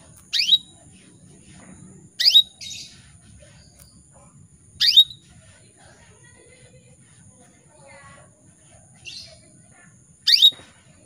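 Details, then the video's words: Female canary calling to males, used to spur males into singing; sharp high downward-sweeping chirps repeated every two to three seconds, with softer brief notes between and a faint steady high tone. "PANCINGAN KENARI BETINA MEMANGGIL JANTAN"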